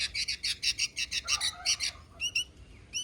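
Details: Sooty-headed bulbul. Rapid, harsh, high chirps repeat about five times a second for two seconds. A few sharper, slurred notes follow, over a steady low background rumble.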